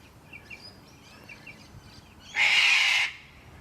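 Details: Sulphur-crested Cockatoo in Carisbrooke Park, a suburban park with old River Red Gums in South Australia, gives one harsh, grating screech lasting under a second, with faint chirps from small birds before it.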